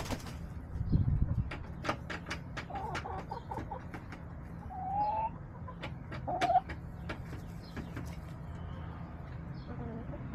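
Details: Backyard hens clucking, recorded March 30, 2024, amid roosters. Quiet low clucks and ticks run throughout, broken by two short, clear tonal notes a second and a half apart near the middle.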